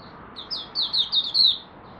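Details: Malaysian oriental white-eye, caged, warming up its morning song: a single rising-then-steady run of about six sweet, slurred high whistles, slightly softer, over quiet background hum.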